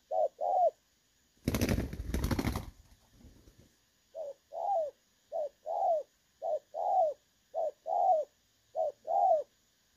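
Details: Clear-voiced "đồng son" spotted dove serving as a trapping decoy, 16 August 2024; two coos, then a loud burst of rustling noise, then a regular series of short-and-long low coos resumes.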